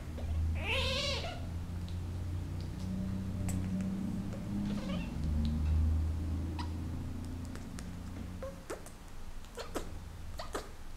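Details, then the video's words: A pet Senegal parrot courts its owner's hand in breeding season, giving one loud, harsh, wavering squawk, followed by scattered dry clicks and small squeaks over a low indoor rumble. "My Senegal Parrot wooing me"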